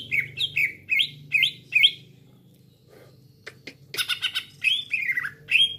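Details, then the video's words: Green leafbird calls played as a trapping lure to draw other leafbirds: a run of five loud downslurred whistled notes, a brief pause, then scratchy bursts and more sliding whistles, with a faint low hum beneath. "PIKAT CUCAK IJO LAIN CEPAT RESPON"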